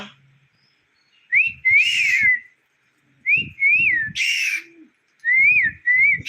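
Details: Talking pet parrot, kept at home and coaxed by its owner to speak: rising-falling whistled notes mixed with harsh, broad squawks in three bursts, with quiet low murmuring between.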